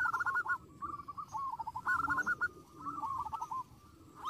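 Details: Perkutut, the zebra dove, in bursts of quick rolling trilled coos separated by short pauses, sung to stir up answering rivals, over a rough background hiss.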